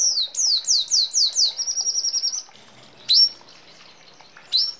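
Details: Red siskin in full, continuous song: five high, descending whistled slurs in quick succession, then a fast buzzy trill, followed after short pauses by two sharp, isolated rising-and-falling notes.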